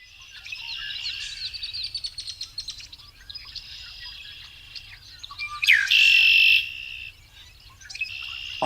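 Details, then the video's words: Several male Red-winged Blackbirds in a marsh give harsh, buzzy trills, the loudest a quick rising note into a ringing, gurgling 'conk-la-ree', with more chatter and geese in the background. "almost all those calls you hear are red wing blackbirds"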